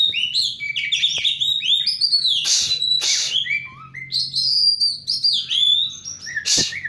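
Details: Oriental magpie-robin song used to lure a magpie-robin that has stopped singing: loud, varied high whistles and sweeping notes, with sharp chirps and harsh broadband bursts packed closely together.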